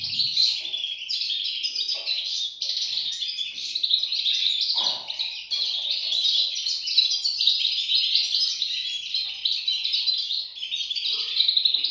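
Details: A brood of goldfinch chicks keeps up a steady, high, scratchy twittering chorus, densely packed chirps with barely a break, plus a brief low sound near the start.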